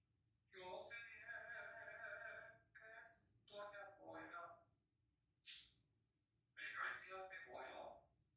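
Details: Oscar, a pet African grey parrot, sings human songs such as El Rey, Cielito Lindo and Para Siempre in a nasal, voice-like tone, with sustained phrases broken by short pauses and a sharp hissy sound midway.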